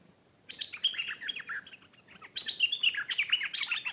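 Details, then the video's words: Wild stripe-throated bulbul singing back at a caged bird and fighting it fiercely; two loud bursts of rapid, bubbling, warbled notes, each over a second long, separated by a short pause. "เสียงนกดอกแตงEp.423 ก่อนหน้านี้มีนกเขาทำหลุด นกป่ามาถึงตัวร้องโต้ลงตีอย่างดุ(Stripe-throated Bulbul)"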